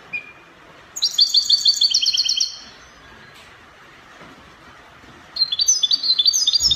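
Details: European goldfinch singing in the Spanish copia style, from Morocco: two bursts of rapid, bright, tinkling high-pitched trills with metallic twitters, separated by about three seconds of quiet.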